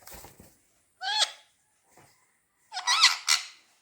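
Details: Two pet parrots squabbling over a ball; harsh, buzzy squeaks come in short bursts, one near the first second and a double screech near the end, with faint rustling in between.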